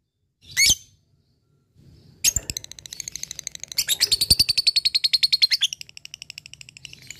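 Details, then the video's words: Fighter-type lovebird in ngekek style calling to an opponent: one sharp squeak, a short silence, then a fast high chattering trill that builds and runs steadily for several seconds before trailing off. "lovebird fighter gacor ngekek memanggil l4w4n"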